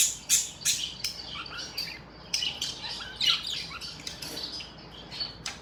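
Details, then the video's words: Happy budgerigars chirping: a lively jumble of high, scratchy squawks and short bright chirps, uneven and overlapping, with several loud sharp bursts among softer chatter. "Happy budgies chirping sounds"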